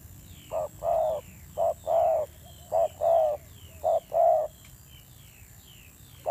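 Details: Spotted dove decoy cooing with a fierce tone; four short-long pairs of low notes, then quiet, while thin descending chirps of other birds sound repeatedly overhead.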